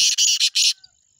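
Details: A black francolin (Francolinus francolinus) gives four quick, harsh, rasping bursts in under a second, grating and high, then falls silent.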